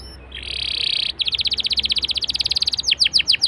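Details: Canary song meant to draw other canaries into singing: a sustained buzzy rasp, then a long, very rapid run of repeated clipped notes, closing with a few louder downward-sweeping notes.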